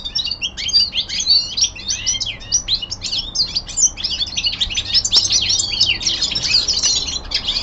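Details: Caged young male common linnet in winter descant song, a lively stream of quick chirps, twangy slurred notes and brief trills pouring out continuously, over steady faint background noise.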